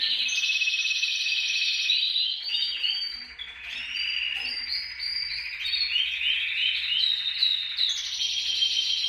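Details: Canary song meant to prompt pet canaries to sing: unbroken high trills with looping, bubbling slides and sudden changes of phrase, and a faint low hum beneath.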